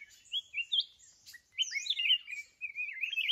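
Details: Mountain red-whiskered bulbul singing while being trapped with a decoy bird: a continuous run of lively, slurred whistles and chirps, rising and falling rapidly in a varied warble.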